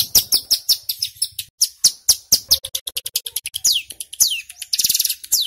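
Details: Male ciblek gunung singing loud, fast 'ngebren' song used to lure and provoke wild birds: a continuous stream of sharp high chips and downslurred whistles, closing in a buzzy rattle.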